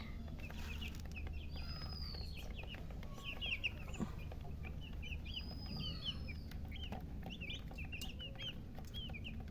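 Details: Group of baby chicks giving continuous high-pitched peeps, each a brief falling whistle, overlapping in an uneven chatter above a low background hum.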